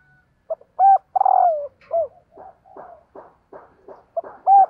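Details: Female spotted dove coos to arouse males. One full phrase has clipped introductory notes, a long burring coo and a falling end note. Soft low clucking notes follow, then the next phrase begins.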